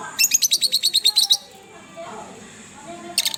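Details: Pet Fischer's lovebirds, a green pair, give a fast run of about ten high, harsh chirps in a regular burst, then a pause with faint low murmurs before another chirp starts.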